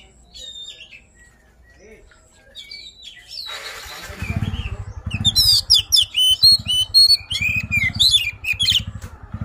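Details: Oriental magpie-robin, poci type, giving a luring song: faint notes at first, then a fast run of bright whistles and chirps, with an engine's low rhythmic throb underneath.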